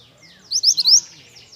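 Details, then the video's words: Pied bush chat in lively song, delivering a single rapid phrase of four or five sharp, high, rising twittered notes lasting about half a second, over faint low hum. "BURUNG MANTENAN GACOR MANTAP"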